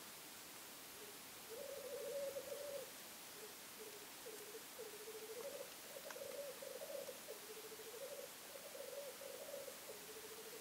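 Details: From a hide during a weekend watch, black grouse give long, continuous bubbling, rolling phrases that swell and fade in waves, with brief gaps between bursts and a faint click midway.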